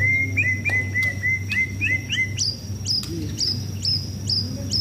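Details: Caged White-rumped shama sunning in preparation for song contests, repeating a whistled two-part phrase about every third of a second, first mid-pitched then switching to a higher, sharper note, with a low hum beneath.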